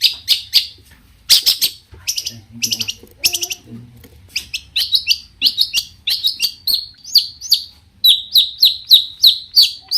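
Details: Long-tailed shrike in full song, a varied master-style sequence meant to rile other shrikes into answering: bursts of sharp high chirps, then a run of short rising and falling whistled notes repeated roughly three times a second.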